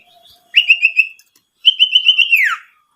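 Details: Owlet call used as a lure to excite other owlets and draw wild ones in. Two pulsed, whistled trills, the second longer and ending in a falling slur, with faint quiet notes beforehand.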